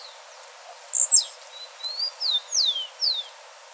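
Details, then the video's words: Blue-black grassquit (Volatinia jacarina) singing in the wild gives a few dry ticks, then one sharp, buzzy, very high burst, followed by four thin, downslurred whistles. "Tiziu azulado dando um verdadeiro show na natureza de canto e beleza"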